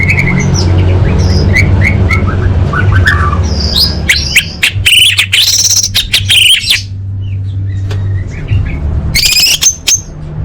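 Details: Orange-headed thrush singing a lively tutor song: high whistled notes and short slurred phrases mixed with harsh, buzzy broadband bursts, over a steady low hum.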